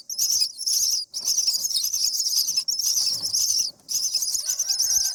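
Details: Baby common mynas in the nest on day 7 being fed: long stretches of harsh, wheezy high begging calls with brief gaps, a faint whistle near the end.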